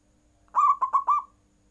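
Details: Single cooing phrase from a zebra dove, or perkutut, in full voice to draw rival birds into calling: four rolling, bubbling coos in quick succession, steady in pitch, clean background.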